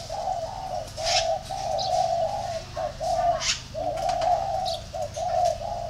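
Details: Spotted dove cooing in a series of low, hollow phrases, each a sustained buzzy coo with brief breaks, repeated steadily over a faint background hum, with a few faint high chirps from other birds.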